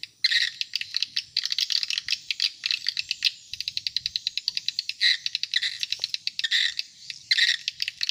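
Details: Swiftlet call meant to attract adult swiftlets, mixing rapid dry clicking trains with harsh buzzy chirring bursts throughout.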